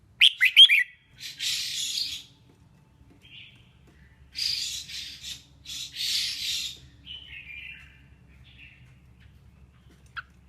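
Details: Female red-whiskered bulbul singing to stimulate males. Quick bright slurred chirps open the clip, then harsh buzzy bursts in short clusters and a thin trailing whistle, with soft low rumble underneath.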